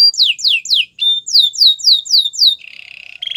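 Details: Canary sings for coaching other canaries: clear repeated falling whistled notes, roughly four per second, followed by a low buzzy rattle and a short steady tone.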